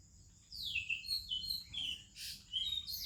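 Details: Morning song of an Oriental magpie-robin among other Indian birds: sweeping downward whistles followed by short bright notes and a burst of high rapid twitters, with a constant thin high drone behind.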